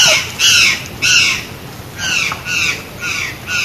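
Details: Harsh, grating calls of the white-naped jay, about six loud rasping notes spaced roughly half a second apart, each broad and buzzy, over a low background hiss.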